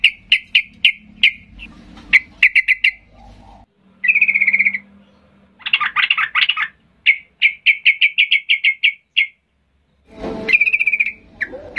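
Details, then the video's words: Sooty-headed bulbul in excited, aggressive song meant to goad quiet birds into replying: runs of sharp, evenly spaced chirps, a sustained buzzy trill, dense bubbly phrases, then more rapid chirp series. "Trucukan gacor ngamuk memancing trucuk diam Bisa bisa Nyaut Emosi tinggi"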